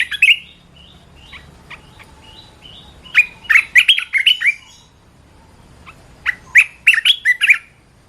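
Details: Caged red-whiskered bulbul song used as a training recording: a short chirpy burst, scattered single notes, then two rapid phrases of bright, warbling notes rising and falling, each about a second long, with a quiet background.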